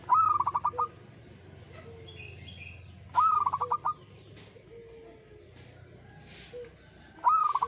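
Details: Local zebra dove singing in the ngayer style. Repeated phrases come about every three seconds: a sharp upswept note and then a rattling run of roughly eight brief coos. Softer whistled notes from other birds and a low background hum are also present.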